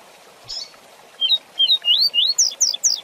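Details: Rusty-collared seedeater giving the fast tui tui zel zel song, a recording for teaching young birds to sing: a quick series of rising whistled slurs, climbing higher and speeding up toward the end, about seven notes.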